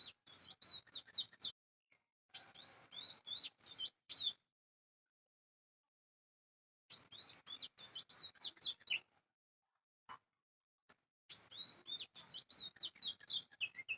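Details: Chirping bird: rapid bursts of high, sharp tweets, several per second, in groups lasting about two seconds, broken by quiet pauses, with a few isolated clicks between bursts.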